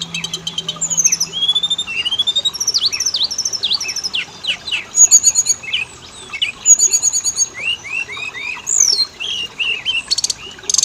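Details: Oriental magpie-robin (kacer) lure song, meant to make males and females sing at once: a long, varied flow of downslurred whistles, fast trills and sharp high bursts in energetic phrases.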